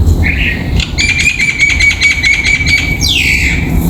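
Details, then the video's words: Common myna on a balcony: a short upslurred note, then a long, steady whistled tone with rapid rattling pulses over it for two seconds, ending in a loud descending sweep; background hum. "Myna in Balcony 🐦 | Mynah bird sound"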